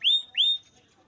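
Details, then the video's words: Canary song for training: two bright upslurred whistles in quick succession, each sweeping up and then held level, followed by a faint fading tail. "Canary Most Power Full Song For Training"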